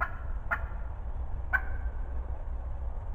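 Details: Wild turkey hen calling close by in the spring 2020 season: two separate short, hoarse yelps a second apart, with a constant low rumble underneath.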